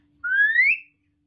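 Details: Indoors, a pet common hill myna known for talking gives a smooth, loud whistle gliding upward over about half a second, then stops cleanly into silence.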